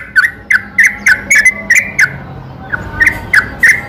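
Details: Trucukan (yellow-vented bulbul) singing at night as a lure to make other bulbuls sing; sparser clipped whistled notes spaced under half a second apart, a short gap near the middle, then more notes.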